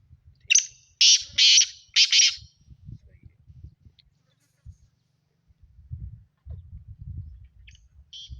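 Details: Seven-month-old trained Sindhi black francolin in Sindh, Pakistan, giving a loud, harsh grating phrase of four rasping bursts in about two seconds, then quiet with faint low rumbling and a few soft chirps near the end.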